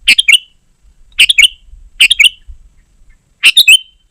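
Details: Sooty-headed bulbul singing densely, as a lure for wild birds and a tutor for caged ones: four rapid bubbly phrases of clipped notes, roughly one per second, against faint low background noise.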